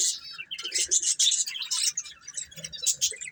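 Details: Budgerigar breeding pair chirping: quick, twittering, buzzy high notes tumble over one another in a short, lively run.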